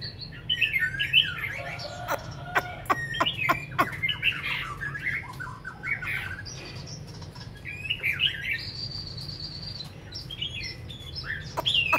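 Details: Caged hwamei in Hanoi, Vietnam, more than five years in the cage, singing well after eating: varied whistled and warbled phrases with repeated sharp clicks, a long steady high note toward the end.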